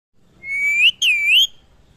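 A parrot gives two clear, high whistled notes, each holding steady and then curling upward, with a brief gap between them in a quiet room.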